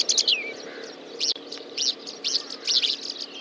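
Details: Horsfield's bush lark giving bright, high chirping phrases in quick bursts with a short descending whistle, over a steady low hum.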